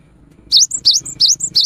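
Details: Brief burst of afternoon song from a cinereous tit, a song said to stir other tits into singing: four rapid, piercing, swooping notes, each followed by a thin higher tail.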